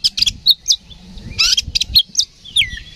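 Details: Oriental magpie-robin singing loudly in fighting mood, a decoy meant to rouse another magpie-robin's aggression: bursts of high, sharp chirps and short whistled notes, with a few fast downslurred phrases near the end.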